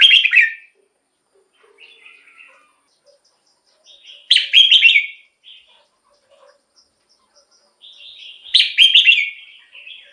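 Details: Red-whiskered bulbul repeating a short bubbling phrase about every four seconds, each a cluster of bright slurred notes with soft quiet chatter between; played to attract wild birds or excite caged birds.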